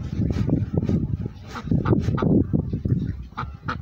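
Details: Chinese goose honking: loud, rough, rapidly repeated nasal calls in uneven bursts, several geese calling close together.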